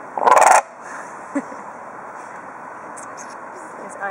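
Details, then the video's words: Aggressive, noisy captive bird with a shattered beak at Edinburgh Zoo gives one loud, harsh, rasping squawk lasting under half a second, followed by faint clicks and low background hum; people speak nearby. "Noisy Bird"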